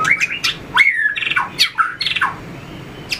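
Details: White-rumped shama under training for fighting song, flicking its tail and hopping between perches: dense run of loud, varied notes, sharp high chips mixed with slurred whistles and harsher rattling phrases, then quieter.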